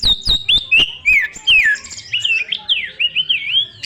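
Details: Oriental magpie-robin, a young wild bird, singing loudly to stimulate other birds: opening with several sharp clicks and high notes, then a flowing stream of swooping, wavering whistles.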